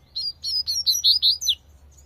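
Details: Tui tui song from a wild Double-collared seedeater: about seven rapid, bright whistled notes in a steady rhythm, peaking loudly near the end before a short falling note and silence.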